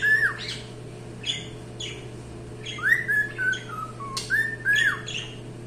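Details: Singing cockatiel giving short whistled notes that rise and dip, broken by a few harsh, noisy chirps, with a constant low electrical hum underneath.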